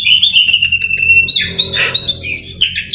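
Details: Oriental magpie-robin trained for song contests, singing a loud, high whistled phrase: a long steady whistle, then rapid varied notes and slurred upward sweeps.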